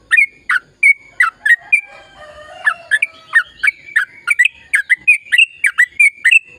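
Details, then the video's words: Sooty-headed bulbul singing in the gacor ropel panjang style, a long rapid run meant to prompt quiet birds to sing: a dense series of bright, bubbly downslurred chirps, several per second, with a thin constant tone running beneath. "Suara Burung Trucukan Gacor Ropel Panjang Perangsang trucukan bisu biar aktif bunyi"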